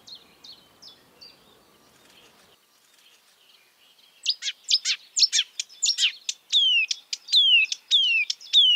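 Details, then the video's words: Wild marsh warbler: faint scattered high chips at first, then loud bright song of rapid downward-sweeping notes and clipped whistles in quick bursts after a quiet pause. "kicauan merdu burung marsh warbler / kerak basi di alam bebas"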